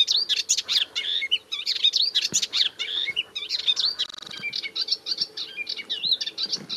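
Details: Melodious warbler (Hippolais polyglotta), a spring arrival, sings from its favourite tamarisk at the Bassin d'Arcachon: a fast, rambling stream of high, varied chattering and twittering notes with brief pauses between phrases.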